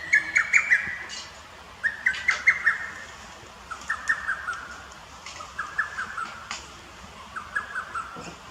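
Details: At a botanical garden in Akita City, Japan, on 21 May 2018, a lesser cuckoo repeats its hurried, clipped phrase of five or six notes about every two seconds, five phrases in all, rendered locally as "teppen kaketaka".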